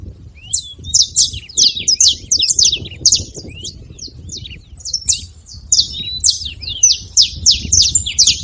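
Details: Several free-living saffron finches at a feeding spot calling together: dense high chips and downslurred notes in irregular bursts, nearly continuous throughout, with a gentle low rumble underneath.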